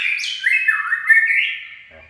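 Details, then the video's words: Short "chạy cầu" phrase from a white-rumped shama: a continuous, sweet, fluty warble that dips and climbs, fading out cleanly at the end. "Chích chòe lửa chạy cầu shama run"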